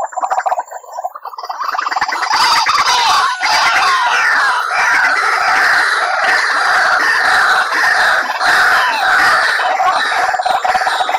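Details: White-breasted waterhen calls played as a trapping lure. A short, quieter croaking start leads into a loud, sustained, raucous chorus of overlapping harsh notes that barely pauses.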